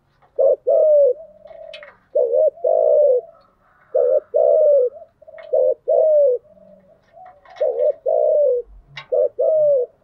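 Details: Decoy spotted dove cooing to lure wild doves: paired coos, a short note then a longer sliding one, repeated about every two seconds, with a few clicks and faint low tones between phrases.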